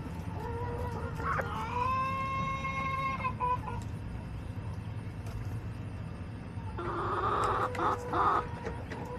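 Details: Hens in a backyard flock: one long harmonic, sustained call lasting over a second, then a burst of rapid, harsh clucks later, with a constant low rumble underneath.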